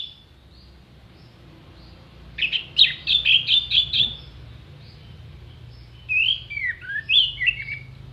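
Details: Orange-headed thrush performing clear tutor song for songbird contests: a fast series of about seven sharp, evenly spaced chipping notes, a long pause, then twisting, slurred high whistles.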